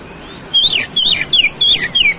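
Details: Oriental magpie-robin lure song to spark a fighting response, five clear whistled phrases in about a second and a half, each rising briefly and then sweeping downward.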